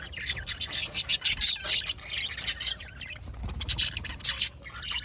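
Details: Budgerigar chicks, recorded 1 December 2023, give harsh, raspy chirps in quick, overlapping bursts.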